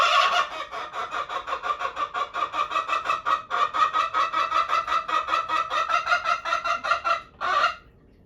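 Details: Female Araucana chickens kept as pets clamour to go for a walk when the owner walks past their coop. A long, steady run of loud, rhythmic, squawking calls, several each second, ends in one final louder squawk.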